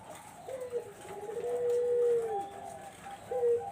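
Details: Barbary dove calling, used as a lure to attract zebra doves: a short rising coo, then a long, steady, low purring note, then another short coo, with a faint higher tonal line behind.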